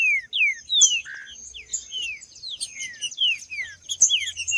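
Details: Green-winged saltator singing in macheando style, played to stimulate males: a run of loud slurred whistles sliding downward, given in quick succession, with high thin chatter from other birds and a steady high tone throughout.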